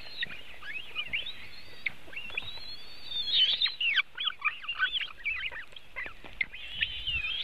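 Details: At a webcam-watched white-tailed eagle nest in Latvia, 24 June 2018 mid-afternoon, eaglets fed a big fish: excited run of high whistled, wavering and dropping notes, densest in the middle, little other sound.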